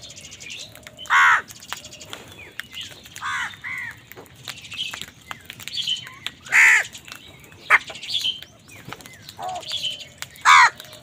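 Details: Angry crow calling while wild birds fight with crows for food: loud, harsh, arched caws, each brief and spaced a few seconds apart, about five in all, over a background of small birds chirping and twittering.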